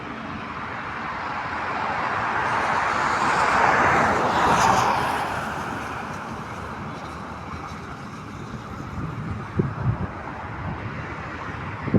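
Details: Steady roar of road traffic, with a vehicle passing loudly around the middle and no animal voices heard.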